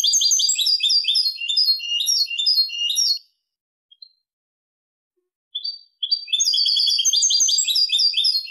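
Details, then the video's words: European goldfinch delivering Malaga song type for teaching chicks, goldfinch and hybrid: dense, rapid, tinkling twitters for about three seconds, a quiet gap with a few faint notes, then the fast liquid warbling resumes. "jilguero malaga لغة كوبيا ملقا تلقين وتسميع فراخ الحسون و الهجين"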